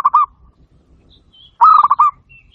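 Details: Cooing of a local zebra dove played to provoke a reply: a brief double coo, then after a pause a longer phrase of rapid, bubbling pulsed notes ending on a held coo; faint high chirps in the background.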